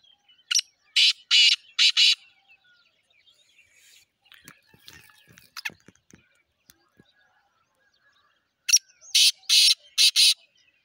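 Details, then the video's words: Black francolin calling, a harsh, grating series of four loud broadband notes. The series comes twice, about eight seconds apart. Faint clicks and soft scattered noises fill the quiet gap between them. "titar sultan voice"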